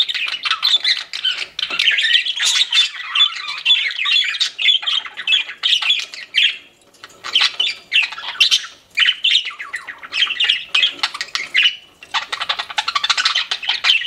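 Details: Several pet budgerigars chatter nonstop, a busy stream of scratchy warbles, clicks and squeaky chirps in fast bursts separated by short pauses.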